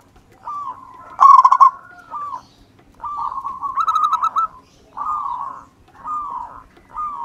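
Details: Local wild-type zebra dove, a spirited lure singer: a loud burst of fast clipped notes, then long rolling trills and a series of separate wavering coos, each about half a second long.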